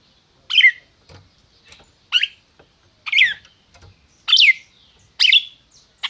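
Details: Red-crested cardinal held in captivity in Brazil, calling and singing: a steady series of six sharp, ringing down-slurred notes, roughly one every second, with faint soft clicks between.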